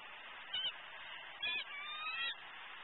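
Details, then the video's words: Impatient, hungry female eagle repeatedly vocalizing at her nest as the male eats prey nearby, 12-11-14. Three brief, high, harmonic squeals come within three seconds, the last one drawn out and slightly wavering, over constant hiss. "SWFLEagles~Vocal, Impatient, Hungry & Pushy"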